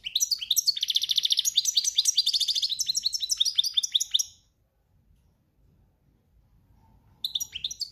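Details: Long cante campero phrase from a European goldfinch in breeding season: a steady stream of rapid, high, repeated twittering notes and buzzy trills for over four seconds. After a pause, the singing starts again.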